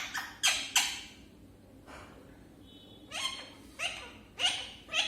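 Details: Pet parrot starting to talk for the first time: short, harsh, raspy vocal bursts in two clusters, three quick ones at the start and four more after a pause, with a faint whistle in the quiet gap.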